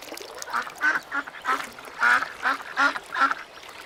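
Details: A steady series of about eight nasal, buzzy quacks from little ducks, roughly two or three each second.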